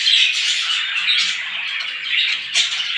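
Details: A brief burst of morning bird chatter, many high chirps blended into a continuous squeaky din with a sharper note near the end.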